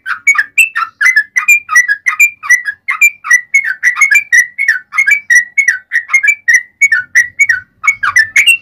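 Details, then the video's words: Yellow-vented bulbul with a long fighting song used as a lure to provoke replies: an unbroken stream of fluty, bubbly notes about three per second. "SUARA trucukan gacor ROPEL PANJANG buat Pancingan trucukan agar bunyi"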